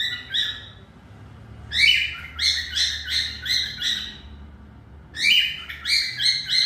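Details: Cockatiel giving bursts of rapid, harmonic chirping notes in two clusters separated by a short pause, over a steady low hum.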